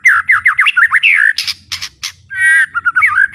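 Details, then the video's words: White-rumped shama from Indonesia, described as having a strong fighting spirit, singing at full volume: a run of rich, rapid whistled notes sliding up and down, then short harsh bursts, then more fluty warbling phrases. "TEMBAKAN MURAI BATU BUKA PARUH VOLUME PENUH POWER💥 SHAMA BIRD"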